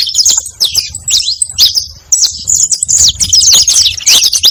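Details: Canário-da-terra (saffron finch) song used to draw in other canaries, a fast jumble of sharp, high chips and trills in bursts separated by brief gaps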